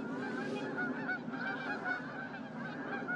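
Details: A flock of whooper swans (Cygnus cygnus) at Starene in 2023 gives a dense, overlapping chorus of nasal, bugling honks with no clear gaps between calls.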